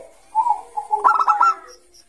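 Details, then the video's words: Bangkok zebra dove in ngayer song, used to attract young doves: a soft low coo followed by a short burst of quick, bubbling staccato notes. "Suara Burung Perkutut Bangkok Gacor Kutut bangkok Gacor Ngayer ini cocok Untuk Pancingan Kutut MUDA"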